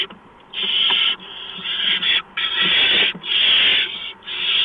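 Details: Barn owl at the nest before dawn, 4:26 AM on 6 March 2015, as prey is brought in: a mouse delivery. Harsh, hissing screeches about half a second to a second long, repeated in quick succession with short gaps, one voice overlapping another.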